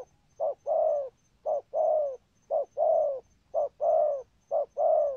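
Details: Spotted dove cooing with thúc gù, a patterned coo. Each pair is a quick low note then a drawn-out, slightly falling hollow coo, repeated about once per second.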